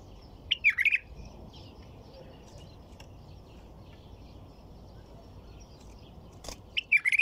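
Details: White-eared bulbul song phrases, bubbly and warbled, open and close the stretch, with a brief sharp click and faint chirping in the quiet between them.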